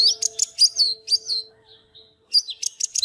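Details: Oriental magpie-robin singing while dancing: quick clusters of high chirps and bright whistles, a pause with soft faint notes, then another rapid chirping burst, with a steady low tone behind.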